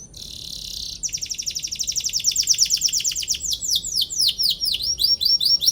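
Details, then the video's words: . Canary in long 'gacor' song with 'cuit cuit' notes, meant to provoke rival canaries to answer and sing: a buzzy tone for a second, then a rapid trill of falling notes that slows into wider swooping notes. "KENARI GACOR PANJANG CUIT CUIT PANCING EMOSI LAWAN BIKIN NYAUT DAN GACOR |° CANARY SINGING"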